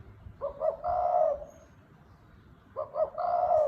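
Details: Spotted dove cooing in the đồng thúc bổi style: two quick soft introductory notes followed by a drawn-out, mellow hooting coo, the phrase repeated after a pause of about a second.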